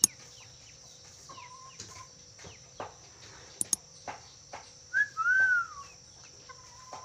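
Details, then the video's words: Black-capped lory giving short clear whistles: a faint level one early, then a louder rising-and-falling whistled note near the five-second mark, over steady high hiss and scattered clicks and knocks. "Siulan burung nuri kepala hitam"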